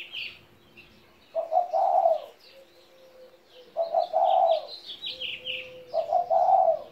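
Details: Seventeen-year-old pet spotted dove cooing three times, about every two and a half seconds, each a soft low double note rising into a longer burry coo, over busy high twittering from small birds.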